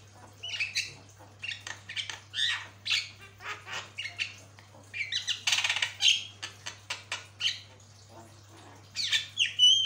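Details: Jalak kebo, the Javan myna, chattering on a long tutor recording: a steady stream of scratchy squawks, a loud rasping burst, then sharp whistled squeals, over a constant low hum.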